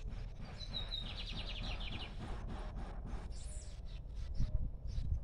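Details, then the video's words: Free, uncaged lined seedeater delivering its song, a bright whistle then a rapid rattle of about ten buzzy notes, against heavy low-frequency background noise and a later hissy burst. "Bigodinho cantando Solto"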